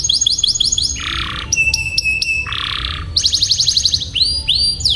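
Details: Canary song used as a tutor recording for young canaries learning to sing and for stuck birds, meant to encourage long rolls; fast repeated high trills, buzzy bursts around mid pitch, sweeping whistled notes, with low background hum.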